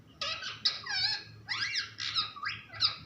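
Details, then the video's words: Parrot chattering in squeaky, strained speech-like syllables with sliding pitch, dense and nearly continuous, over a low background hum. "Funny parrot talking video | mitthu videos | mittu ki awaaz"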